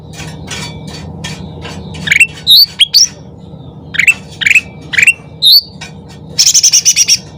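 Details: Loud lure song of a sooty-headed bulbul: soft chatter at first, then a series of clear rising and falling whistled notes in quick pairs, ending in a fast ringing trill of about eight notes, with constant background hum.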